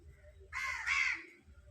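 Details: One drawn-out, hoarse caw from a hungry crow, rising in strength midway and lasting under a second, against a quiet low hum.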